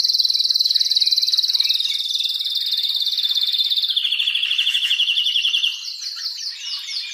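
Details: Excited male canary song meant to stimulate a female to mate, with female calls from the nest: a long, rapid, high rolling trill that steps down in pitch midway, then breaks into quick chirped notes.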